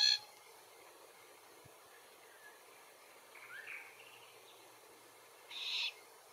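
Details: Glossy Black-Cockatoo, subspecies lathami, in Capertee Valley at feed trees bearing Allocasuarina verticillata seeds. A short harsh broadband screech opens the recording, a soft low warble follows midway, and a second grating call comes near the end over quiet background hiss.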